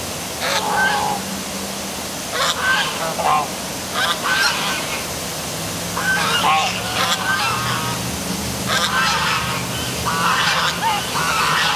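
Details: Geese calling at night beside the downtown waterfall at City Hall in Milford, Connecticut: a busy run of nasal, overlapping honks in bursts every second or two over a steady rushing roar of falling water.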